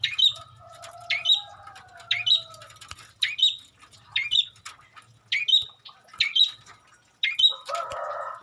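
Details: Long-tailed shrike singing with mimicry of other birds: a short sharp high note repeated about every second, eight times, over a soft lower drawn-out whistle, ending with a harsher burst.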